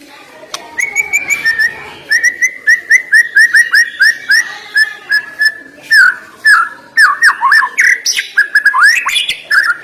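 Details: Murai batu, the white-rumped shama, delivers a long run of clear whistled notes, each a quick upward slur repeated about twice a second, later breaking into sharper swooping and twisting phrases.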